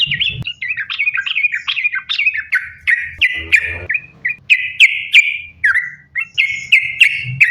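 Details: Sooty-headed bulbul song used as a lure to make bulbuls sing, sambung ropel style: a string of clear, slurred whistled notes, each repeated after a short gap, becoming steadier and more spaced toward the end.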